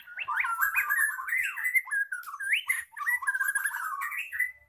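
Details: White-rumped shama still moulting (regrowing its tail) but singing strongly: a continuous run of rich, slurred whistles swooping up and down with quick chattering notes mixed in, its voice not yet fully back to normal; no other sounds intrude.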